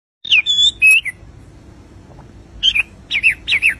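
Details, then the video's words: Wambi bird singing lively and melodious: two bursts of sharp, squeaky high notes, a short pause, then a run of downward-curving chirps over a faint low hum. "SUARA GACOR DAN MERDU BURUNG WAMBI"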